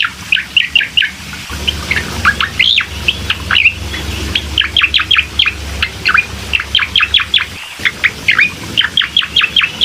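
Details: Lure recording of bar-winged prinia song to make a reluctant bird start singing: a long, fast series of bright, high, downward-sweeping chirps repeated almost without break, over a faint low hum.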